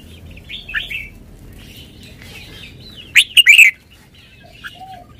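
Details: Red-whiskered bulbul in a cage showing its singing style: soft whistles and chirps, then a loud clipped phrase of three to four strongly modulated whistled notes, followed by faint calls.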